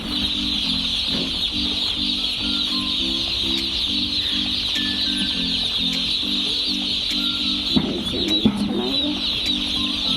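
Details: Chicken: about 2,000 newly arrived broiler chicks, 500 per shed, in a village farm, peep in a dense, continuous, shrill chorus because they have not yet been fed, over a steady low, rhythmic droning tone.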